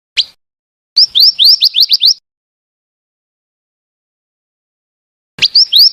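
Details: Female scarlet minivet: one sharp rising note, then a burst of about eight quick upslurred whistles, a long pause, and another short run starting.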